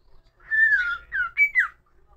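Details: Pet cockatiel whistling a tune: a sustained clear whistle that slides slightly downward, then two short separate whistled notes and a final higher note bending down, indoors in a small room.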